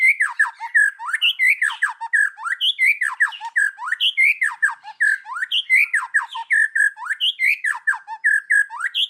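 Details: Forest-voice kéo thuốc lào singing of a white-rumped shama, sung to stir other birds: harsh, chattering, down-slurred phrases repeated in a steady loop, each about a second long, with no pauses.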